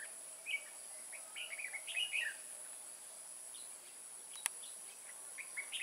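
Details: Red-whiskered bulbul singing as a decoy to draw wild birds into a trap, Kim Bôi, Hòa Bình, Vietnam, 14 May 2018: scattered chirpy whistled notes and a warbled phrase, one sharp click, steady high insect buzz behind.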